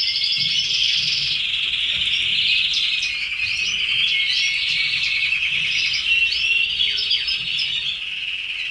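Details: Caged red canaries pouring out a long, unbroken canary song: dense high trills, quick chirped notes and short whistles running together, more than one bird audible.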